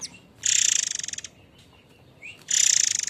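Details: A White-rumped shama, Air Mancur type, delivers harsh notes meant for tutoring other birds: two loud rattling, buzzy bursts about two seconds apart, separated by a short rising whistle.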